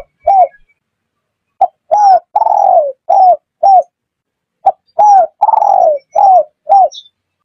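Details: Lure recording of a spotted dove for bird catching: two cooing phrases, each of a short note, paired arched coos, a long slurred downward coo, then two quick coos, separated by a pause of about a second.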